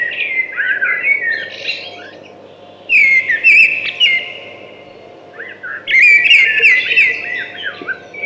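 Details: A thrush delivers three rich warbled phrases of bright whistles and quick trills, spaced about three seconds apart, over a soft background hum.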